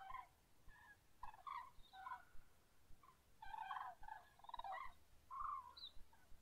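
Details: At dawn, common cranes give ragged, trumpeting calls in clusters, a few birds overlapping, growing busier in the second half before a final clear bugle.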